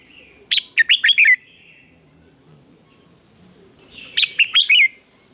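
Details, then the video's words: Morning contest singing from a red-whiskered bulbul in voice training. Two bright phrases of quick whistled, down-slurred notes sound roughly three and a half seconds apart over a constant faint high-pitched tone. "Chào Mào Hót Đấu Sáng"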